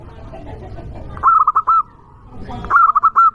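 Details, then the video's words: A local zebra dove calling loudly to provoke rivals: two bright, pulsed coos, each a quick stuttering series of notes ending in a held tone, over low background rumble. "Perkutut lokal gacor suara keras"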